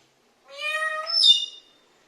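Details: A talking parrot gives a single clear, drawn-out harmonic call lasting about a second, its pitch steady, ending in a higher squeaky flourish.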